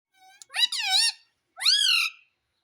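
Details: Indian ringneck parrot talking, taught to say "Mummy": two loud, harsh, harmonic-rich voiced phrases with wavering, bending pitch, separated by half a second of silence, preceded by a soft tonal note.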